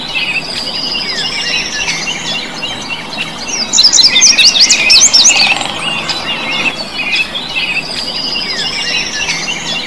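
Bright, rapid chirps and high twittering notes from several birds overlap, rising to a dense burst in the middle, with rising whistled phrases at start and end.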